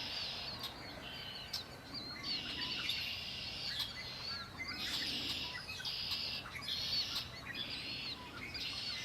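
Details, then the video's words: Singing birds beside Lake Erie, several overlapping callers giving dense buzzy trills and quick chirps, phrases bunching in the second half, with faint low background hum. "Birds singing by Lake Erie"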